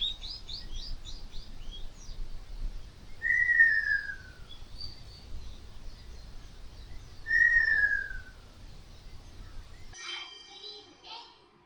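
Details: Ruddy kingfisher (Halcyon coromanda) on Taketomi Island, Okinawa, morning of May 31, 2025, under clear skies: two clear, descending, slightly trilled whistles about four seconds apart, with small bird chirps, low hum and a brief harsh noise at the end.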